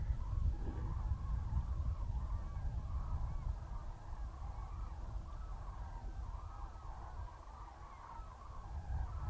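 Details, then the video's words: A flock of cranes migrating south to warmer places, recorded 21 November 2020: many overlapping rolling, trumpeting calls rise and fall continuously, over a steady low rumble of wind or traffic noise. "Žerjavi letijo na jug"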